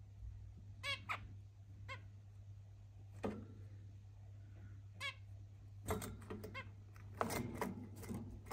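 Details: Zebra finch; courtship calls; courtship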